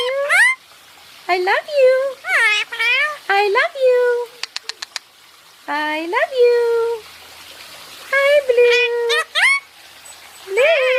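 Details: {'caption': 'Pet Indian ringneck parakeet talking while basking indoors, with high, nasal, speech-like phrases of curving, harmonic-rich syllables in bursts, several sharp clicks midway, and a pause before more chatter.'}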